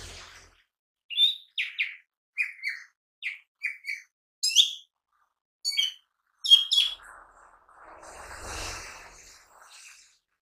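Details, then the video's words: Chattering song of a mini green leafbird, recorded as lure and daily training material: a run of short, sharp chirps and slurred whistles about every half second, then a soft rushing noise near the end. "Pancingan Cucak Ijo Mini Bunyi Gacor"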